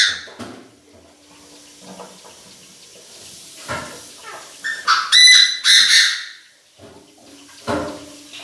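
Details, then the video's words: Chinese francolin used as a decoy, calling the flock. Soft background chirps give way to a loud run of grating, buzzy notes around the middle, followed by a short harsh note near the end. "Tiếng chim đa đa gọi bầy chim đa đa mồi gáy cực căng"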